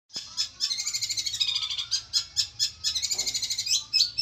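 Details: A competition-winning Long-tailed Shrike, a champion at district and national level, sings a fast chattering series of high, ringing notes, runs of rapid trills broken by short gaps.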